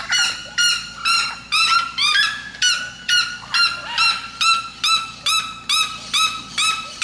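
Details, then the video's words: Evenly spaced, loud, barking yelps from a red-legged seriema, about two per second, kept up without a break for seven seconds. "O canto da Seriema do Mato Grosso"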